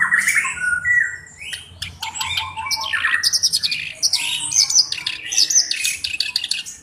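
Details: Black-browed reed warbler singing actively, used as a tutor bird for training other songbirds: a fast, varied stream of harsh chattering and scratchy notes mixed with short whistled phrases, some dipping lower, with a faint low hum beneath.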